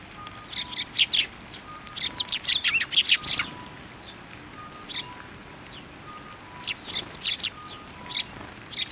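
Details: Sparrows gathering on a plum tree at a Tenmangu shrine, 10 February 2024: bursts of bright, high chirps in irregular clusters, with a faint steady electronic-like tone repeating in the background.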